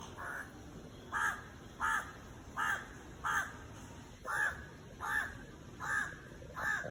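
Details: Indian crow perched on a tree giving a steady series of nine harsh caws, each short and nasal, repeated roughly every 0.7 seconds over a low background hum.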